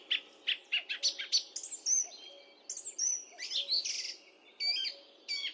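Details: Song thrush singing a rapid run of varied, sharp high notes, with short phrases and quick repeated clicks, followed by brief whistled bursts and ringing figures, with small pauses between phrases and a quiet background.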